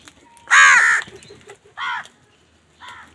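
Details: Angry crow fighting wild birds over food gives three harsh, rasping caws: a long loud one, then two shorter ones spaced about a second apart, with faint background noise between.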